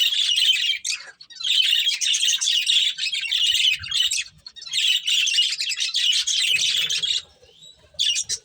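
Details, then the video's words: Budgerigar breeding pair chattering in long, dense runs of buzzy, scratchy warbling, broken by short pauses, with some faint low rustling near the end. "Cute Budgies Chirping Sounds | Beautiful Budgies Breeding Pair"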